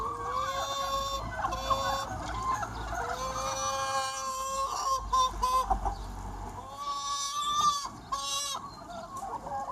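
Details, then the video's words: Free-range flock of about 200 chickens on a sunny spring day, loud harmonic drawn-out hen calls and quick clucks overlapping, with bursts of sharper cackling toward the end. "Chicken Sounds 1 Hour - Chicken Sound Effect"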